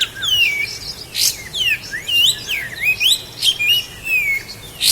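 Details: Sooty-headed bulbul from Lahat, a master recording for teaching cage birds: a continuous stream of bright, bending whistles rising and falling, with occasional sharp clicks.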